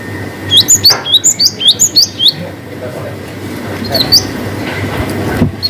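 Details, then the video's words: Cinereous tit delivering a long-whistle song variation to prompt reluctant singers: about eight quick upslurred high whistles in a regular run, then a pause with faint background noise and a few isolated notes. "GELATIK BATU GACOR WUCIT PANJANG ngalas Variasi"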